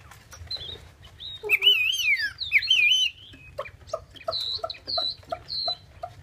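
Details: Chinese hwamei singing loud, rich whistled phrases that wobble up and down, with harmonics, framed by scattered sharp clicks and softer high notes.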